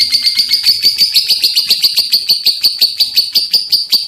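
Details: Pet lovebird chattering on and on, a fast train of sharp high chips, about four to five per second, all at one shrill pitch with no pauses.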